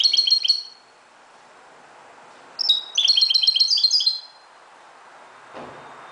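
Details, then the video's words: Moroccan goldfinch singing at daybreak: a short burst of quick tinkling twitters, a pause, then a longer bright, buzzy-edged jingling phrase, followed by a faint low thump. "CHANT CHARDONNERET MAROCAIN"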